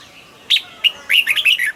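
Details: Cage-kept red-whiskered bulbul in double-style song: a sharp whistle, a short chip, then a fast string of five liquid, warbled notes, the whole phrase lasting just over a second.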